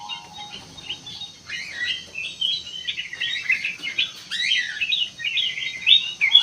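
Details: Sooty-headed bulbul singing, used as a lure sound: after a quiet start, a lively stream of quick chirps and slurred whistled notes, irregular and rapid, with a thin constant high tone behind.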